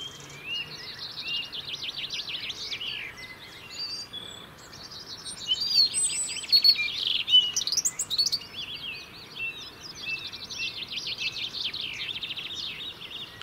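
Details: European robins singing in the UK to defend winter territories: dense, high, twittering and trilled phrases overlapping continuously, with brighter sharp notes bursting in mid-way.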